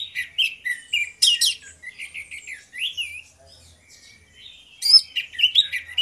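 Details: Orange-headed thrush song in ngeplong style from two birds: choppy high whistled notes and downward slurs, a brief near-silent gap, then a renewed loud flurry of sharp varied notes.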